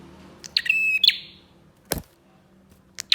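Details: Bar-winged prinia used as a lure to set other prinias singing. One buzzy phrase with a thin, flat whistle under a rasping rattle, followed by scattered sharp clicks.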